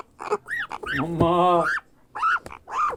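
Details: Hand-fed grey parrot hatchling begging with hoarse arched cries. A steady, droning human-like voice fills the middle of the recording.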